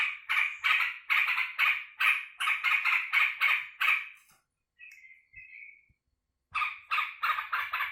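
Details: Kept sooty-headed bulbul, excited and happy as it greets its keeper coming home from work: bursts of rapid harsh chattering notes, about three a second, then a brief pause with two short whistled notes before the chatter resumes.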